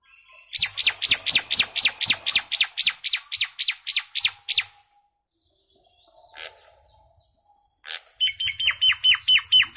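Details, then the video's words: A common myna gives harsh, grating notes about four per second in a steady run, pauses with faint background rustles, then resumes the same rasping series. "Common myna bird song | Indian maina sound | mynah singing"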